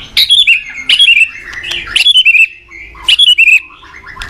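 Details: Morning song of a white-rumped shama, a lure for training cage birds: four near-identical loud phrases about one second apart, each a sharp high note dropping into a string of rapid whistled trills.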